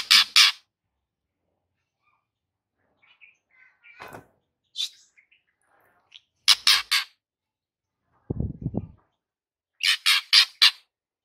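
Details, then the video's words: White-rumped shama master recording meant to make a silent bird sing: loud bursts of harsh rapid notes alternating with softer chips, brief low rustle near the end. "100% Murai Batu MANDEK jadi NARUNG dengar MASTERAN ini"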